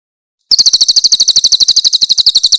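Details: Grey-headed canary-flycatcher singing a rough 'tembakan kasar' style, used as a master recording for training songbirds: a loud, very high, harsh trill of evenly spaced notes, about eight per second, running without pause after a short silence.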